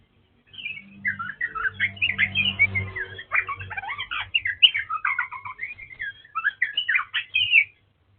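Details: Oriental magpie-robin of the dark wulung form, described as a rare bird, pouring out a varied run of whistled, warbling phrases that leap up and down, with a low hum underneath in the first seconds.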